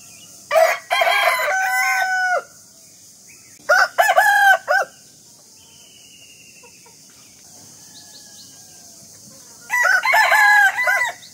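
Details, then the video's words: Rooster crowing in the morning: a loud, harmonic cock-a-doodle-doo in several syllables near the start, a shorter broken crow around four seconds in, and another crow rising near the end, with quiet pauses between. "rooster Calling in the morning"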